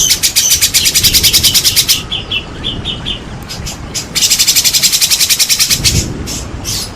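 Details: Provocation song of a white-rumped shama for silent birds: a fast high rattle, softer spaced piping notes, then another dense rattle, with a low thump near the end.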